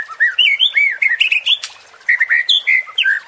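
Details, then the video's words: Short passage of murai batu song, the white-rumped shama, used to provoke and excite birds: bright whistled notes sliding up and down, broken by a brief click, then resuming. "MURAI BATU JADI TERPANCING EMOSI DENGAN SUARA PANCINGAN INI"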